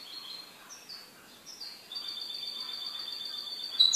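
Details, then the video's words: A goldfinch kept as a pet sings softly: scattered high chirps, then a long, level, tinkling trill on two close pitches, with a faint background hiss. "MI JILGUERO"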